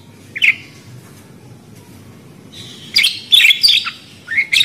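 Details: Budgerigar calling: one brief chirp early, a pause, then a cluster of quick squeaky, warbling notes and a rising chirp at the end.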